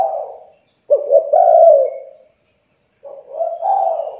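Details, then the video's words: Young spotted dove used as a lure bird to get quiet doves calling; two low, mellow coo phrases, each a short clipped double note leading into a longer swelling coo, separated by a brief pause. "TEKUKUR MACET , MALAS BUNYI, MUDA, CULHU COBA PANCING DENGAN TEKUKUR INI AGAR CEPAT BUNYI"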